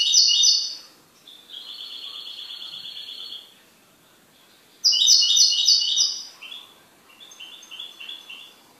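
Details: Song of a pet goldfinch: bright, bursty high twitters followed by a sustained rolling trill, a pause, then another loud twittering burst and a softer, fading trill.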